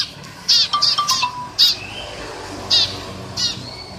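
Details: Eurasian tree sparrow chirping noisily: short, harsh, buzzy chirps in irregular bursts, several close together then spaced about a second apart, with faint thin whistled tones in between.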